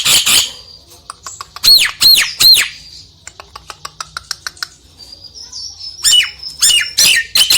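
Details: Nias hill myna song used to provoke a lazy myna. A harsh opening burst and three ringing arched whistles, then soft scattered clicks and a thin whine, before loud swooping squawks return.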